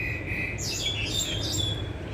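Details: In Taiwan, where three or four crested mynas forage together, a crested myna gives loud, harsh chattering and high whistled notes over about a second, with a steady low rumble of background noise.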